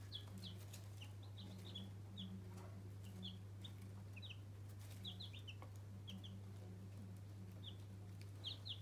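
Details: Newborn pet chicken chicks peeping: many short, high, down-slurred cheeps in scattered bursts, over a constant low electrical hum.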